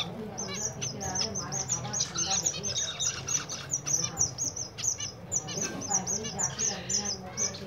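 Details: A group of zebra finches in winter gives continuous high, nasal peeping and tweeting, many short notes in quick, slightly uneven succession, loud and clear above a low background hum.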